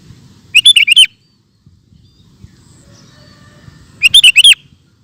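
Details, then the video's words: Two quick bubbly phrases of a sooty-headed bulbul, singing 'ropel gacor', about three and a half seconds apart; each has five rapid warbled notes, with faint low background hum. "Burung Kutilang Ropel Super Gacor"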